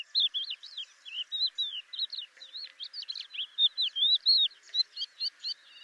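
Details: Crested lark recorded for a Córdoba bird sound guide, giving a continuous, rapid song of varied slurred whistles and twittering notes, rising and falling without pause, in a clean quiet setting.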